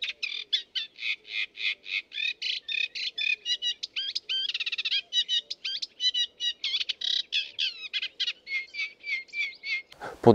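Sedge Warbler in a fast, chattering song of harsh rattles, buzzy trills and sweet whistled phrases, run together without pause; a loud thump ends it.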